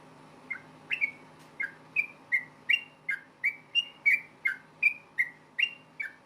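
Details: Yellow-vented bulbul fighting song meant to make other bulbuls reply: bright whistled notes, each dropping in pitch, repeated about three times a second in a steady chattering run over a faint low hum.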